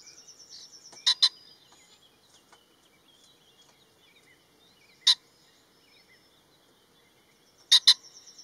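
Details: Male common pheasant repeating its harsh crowing: a loud double note, a single note four seconds later, then another double, amid faint scattered bird chirps and a high insect buzz.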